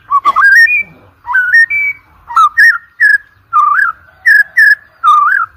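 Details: White-rumped shama chatter used as a training lure for competition birds: evenly spaced, bright, rich whistled phrases, each a short upward-curling note, repeated about every half second to second.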